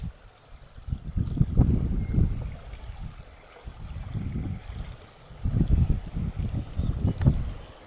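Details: Deep surging wind or water rumble rises and falls in waves, and no animal voice is heard.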